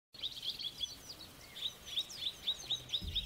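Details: Mrs. Gould's sunbird (Aethopyga gouldiae) sings a thin, high twittering song of quick sharp notes, about four a second, over faint background hiss.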